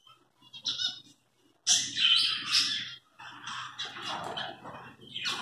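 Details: Caged zebra finches kept in a breeding colony, being moved into individual cages: short, bright, nasal chirps in bursts, irregular and overlapping, with brief quiet gaps and faint low room hum.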